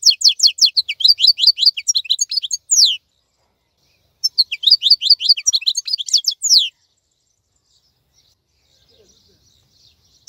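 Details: European goldfinch, described as wild-type and still singing actively while other birds are silent and molting, gives two bursts of rapid, high, tinkling twitters about three seconds long, separated by a pause and followed by near-silence.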